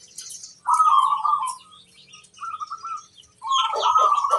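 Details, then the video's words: Local zebra dove singing to draw other zebra doves to reply. Three rolling, trilled coo phrases separated by short pauses, the last long and broken. Soft high twittering of other birds behind. "Perkutut lokal gacor ampuh - untuk pancingan semua burung perkutut"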